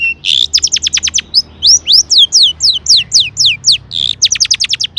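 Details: Long-tailed shrike (pentet) song meant to make other shrikes answer: a burst of buzzy noise, then series of sharp downward-slurred whistles, several per second, with another harsh burst before more slurs.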